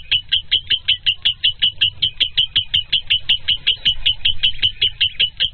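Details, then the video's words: Lovebird singing: a fast, steady series of sharp, high chirps, about three per second, continuing evenly throughout with little variation, over faint low background hum. "Lovebird given 1 minute Hattrick | BIRDSONG"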